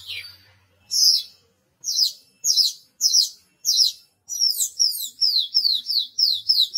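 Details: A captive Horsfield's bush lark (Mirafra javanica), a strong, loud singer kept as a training model for other birds, sings a quickening run of high, sharp, down-slurred whistled notes, one or two a second, then faster; nothing else heard.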